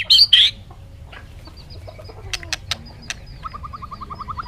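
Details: Two loud, high, harsh notes open, followed by faint clicks and a soft, fast series of short repeated notes near the end.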